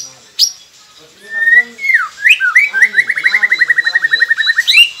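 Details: White-rumped shama in a masteran training song for getting silent birds to sing: a sharp note, then a drawn-out whistle, a swooping phrase and a long rapid trill of even repeated notes ending in a high chip.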